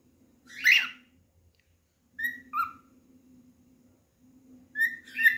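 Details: Singing cockatiel searching for a companion to play with. A harsh screech comes first, then short whistled notes that dip and rise, ending with a pair of rising whistles, all over a low hum.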